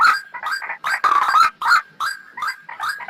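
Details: Trapping lure of the white-breasted waterhen: rapid, rough grunting notes, loud at first and in the middle, fading to softer croaks at the end.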